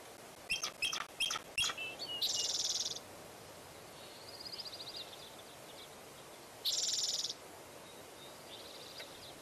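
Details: Bald eagle at Fraser Point, 04-10-2019, around eaglets falling from the nest and coming back: a quick series of high clipped notes, then a loud rapid chittering burst, a softer trill and another chitter.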